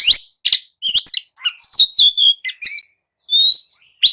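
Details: Loud Oriental magpie-robin lure song, sung to stir sluggish birds into responding: sharp chips, warbled sliding whistles, scratchy notes and a long clear rising whistle near the end.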